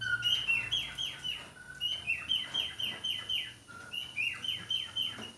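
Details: Male budgerigar in breeding mood, kept by a breeder, gives a steady run of high, clear chirps and short whistled notes that dip quickly downward, repeated several times a second with brief lower whistles between.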